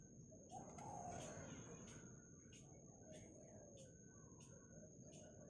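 Scarlet-backed flowerpecker giving sharp, high, dry ticks about every half second, over a steady thin whine and low traffic-like rumble.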